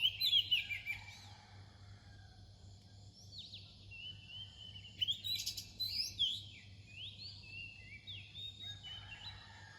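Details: Near-dawn song of an Oriental magpie-robin: a loud opening phrase, quieter spaced notes, then another burst of sliding whistles before fading, over a faint constant hum.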